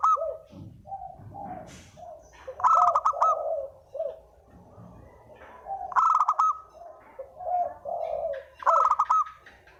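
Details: Lure cooing of a spotted dove. Three strong phrases, each starting with a sharp high note and falling into hoarse rolling coos, separated by quieter murmured coos and a little low background rumble.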